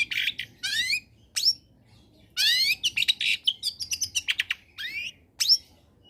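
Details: Long-tailed shrike singing vigorously in a combined song used as a lure to prompt quiet shrikes to sing: harsh buzzy bursts, stacked rising notes and a quick run of sharp chips, with silent gaps between phrases.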